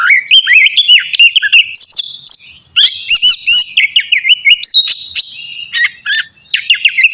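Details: Before its bath, a navy oriental magpie-robin sings a lively, varied medley of clear whistles, rapid chips and rising and falling slurs, almost without pause.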